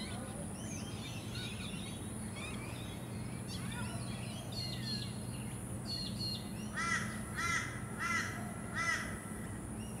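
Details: Forest kingfisher (Todiramphus macleayii), recorded on the Sunshine Coast, Queensland, in February 2024, gives four harsh, strident notes in quick succession near the end, after scattered twittering from other small birds, over a steady high insect whine and low hum.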